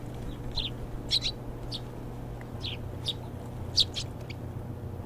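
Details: Eurasian tree sparrow in the garden of Bupyeong-gu Office, Korea, gives short, bright chirps, singly and in quick pairs, about six or seven in five seconds, over a steady low hum of distant traffic.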